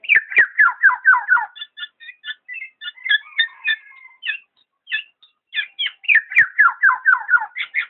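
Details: Black-naped oriole: loud runs of short downward-slurred whistled notes, about two per second, broken in the middle by a quieter, varied stretch of short clear whistles before the falling series returns.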